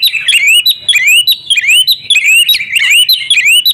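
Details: Female Oriental magpie-robin calling the male to sing; loud, rising whistled notes with quick upward sweeps, repeated in clusters about every half second.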